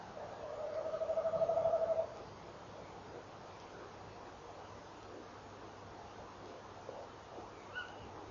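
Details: Tawny owl pair at dawn, 18 November 2013, 06:45: the male's vibrating rolled hoot runs nearly two seconds at the start, and a short sharper answering note from the female sounds late, amid soft background hiss.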